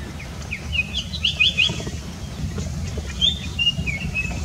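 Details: White-browed fantail perched on a branch guarding its nest gives a run of high, thin, sweet notes in two bursts, some rising or falling, over a steady low rumble of background noise.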